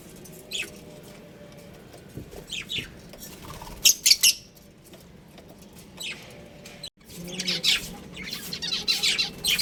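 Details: Scattered high, raspy chirps from a colony of pet budgerigars, sparse at first, then a sudden break followed by busy overlapping chatter toward the end.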